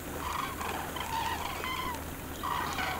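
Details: Common cranes calling: rolling, trumpeting notes around a steady low pitch, several overlapping bursts with short gaps, over a constant low hum.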